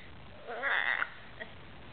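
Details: Pet hyacinth macaw playing on a couch indoors at night: one short hoarse, bleating call lasting about half a second, with a faint brief note afterward in a quiet room.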